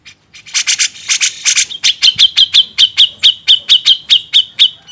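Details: Grey-cheeked bulbul used as a master recording for training songbirds: harsh, buzzy bursts give way to a rapid run of sharp, clipped notes repeated about five times per second.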